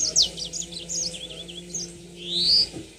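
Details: Yellow-fronted canary song from a lure recording meant to set birds into long rolling song. Quick high zigzag chirps run together, then a loud upward-slurred whistle, over constant low hum and hiss.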